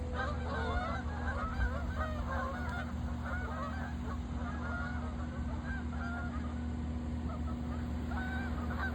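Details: Geese in autumn flying and landing on a lake, a burst of overlapping honks in the first few seconds fading to scattered calls, over a steady low rumble and hum.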